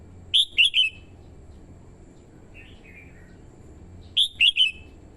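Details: Female red-whiskered bulbul singing to stimulate males and call in wild birds: two bursts of three rich, warbled whistled notes about four seconds apart, with a softer, lower trill between them; background otherwise quiet.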